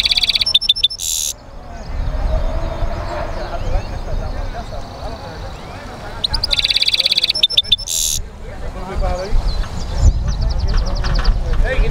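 A goldfinch hybrid twitters in a fast, jangling run of bright notes and trills, interrupted by sharp clicking bursts, over a steady low background rumble.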